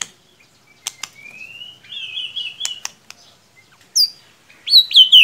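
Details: White-rumped shama lure song to stir a bird that only chirps: a few sharp clicks, a slowly rising whistle into a buzzy trilled note, then bright high descending whistles.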